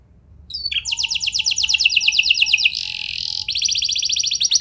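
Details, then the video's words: Canary song meant to get other canaries singing: a fast rolling trill over a faint low hum, a brief harsh buzzy passage, then another rapid high trill. "Pancingan Ampuh Bikin Kenari Lain Bakal Ikut Gacor Do0r Dengan Pancingan Ini! Langsung Nyaut Ngeroll"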